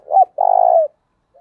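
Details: A single cooing phrase from a spotted dove, used as a lure for wild doves: a brief upslurred note, a short pause, then a sustained, slightly falling low coo.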